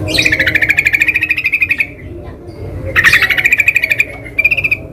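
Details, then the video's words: Wild yellow-vented bulbul in the wild giving fast bubbling trills, each a rapid string of steady-pitched pulses lasting under two seconds, repeated after short pauses, over a constant low rumbling background. "SUARA BURUNG TRUCUKAN DI ALAM LIAR"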